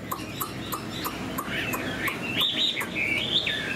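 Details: Chinese Hwamei kept in a cage, fanned tail, fresh plumage, tail-flicking laughingthrush-style singer: soft ticks and rustles at first, then a run of rising and falling whistled notes building in strength toward the end.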